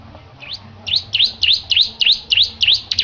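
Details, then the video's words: Bar-winged prinia (ciblek), a caged bird being prepared for song competition, gives a rapid series of sharp V-shaped chirps that dip and rise, about seven notes spaced roughly a third of a second apart, over low background hum. "Kicau Burung Petarukan Ciblek Gacor Persiapan Perlombaan"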